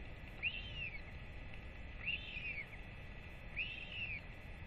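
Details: Excited royal albatross chick being fed by both parents after a ranger's weight check, 8.10.24; three loud whistled calls that rise sharply then slide down, roughly every one and a half seconds, over steady noise.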